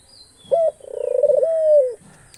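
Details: One call from an Australian dove kept as a pet: a clipped introductory note, a rapid pulsed tremolo, then a sustained mellow coo that sinks slightly in pitch and fades.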